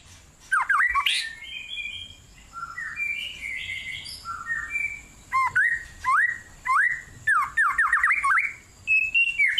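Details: White-rumped shama singing persistently in a cool forest: soft warbled phrases first, then loud, clear upswept whistles given in quick bursts about twice a second, ending in higher trills.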